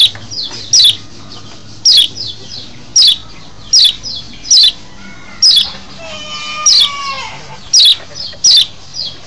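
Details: Lombok white-eye breeding call for luring wild birds: shrill downward-sliding chirps repeated about once a second, quiet twittering between them, and a brief run of lower gliding whistles midway.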